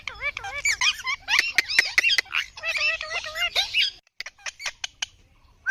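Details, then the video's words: Parrot calling: a rapid run of loud, wavering, squeaky whistled notes with sharp harmonics, broken into bursts, a short pause near the middle, then scattered clipped squeaks. "Parrot ki awaz"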